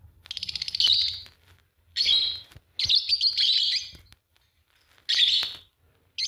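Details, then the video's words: A green pair of Fischer's lovebirds gives a quick pulsed trill, then loud grating chirps in drawn-out bursts with short pauses between them. "Lovebird singing and chirping sound, green fischer pair"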